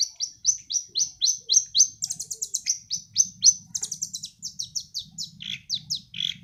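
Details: Long-tailed shrike, a young bird not yet finished moulting, sings in the 'sembur' style: a fast run of high, clipped whistled notes about four per second, briefly breaking into rapid buzzy trills midway, with a faint low hum.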